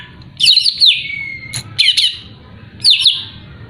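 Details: Greater green leafbird song meant to rouse a rival: squeaky warbled phrases with swooping downslurred notes and a thin sustained whistle, repeated about once a second.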